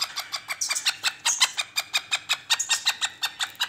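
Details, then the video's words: Black francolin, locally kala teetar, in playful mood: a rapid run of harsh, clicking broadband notes at about five per second, uneven in loudness. Occasional sharper squeaky accents stand out. "Black Francolin Voice Kaly Teetar Ki Masti || Kala Teetar Ki Masti Wali Awaz || Black Teetar Voice"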